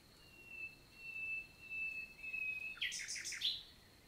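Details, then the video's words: Summer-morning nightingale song from a countryside forest in the Lot, south of France, 11 June 2023: a long, steady, thin whistle holds for over two seconds before a quick burst of about five loud, scratchy notes. "NIGHTINGALE MORNING SONG"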